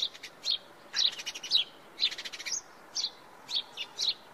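A house sparrow gives bright, high chirps about twice a second, some doubled or rattled together, against a quiet background.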